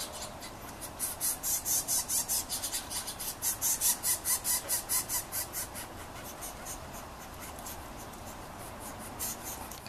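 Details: Young Yellow-shafted Northern Flicker chicks near the nest, being fed by the male, give rapid rasping hunger calls, about two or three pulses a second, in a steady pulsing run that fades after six seconds.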